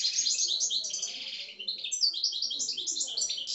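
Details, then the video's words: Kept Algerian European goldfinches of the parva subspecies, coupleur-style aggressive song: a dense, rapid stream of high twittering notes, buzzy trills and sharp chirps running almost without pause. "Mes Chardonnerets Parva Algeriens Coupleurs, Agressif"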